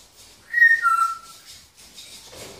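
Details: Grey parrot, thirteen years old, kept in a shop where it chats with customers and answers the phone. One clear whistle holds level, then steps down to a lower sliding note, followed by soft background rustling.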